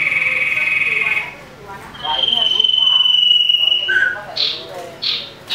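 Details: Common iora singing in an agitated fight against a rival: a long, even, pulsing trill held for nearly two seconds, followed by a short lower note and sharp upswept chips.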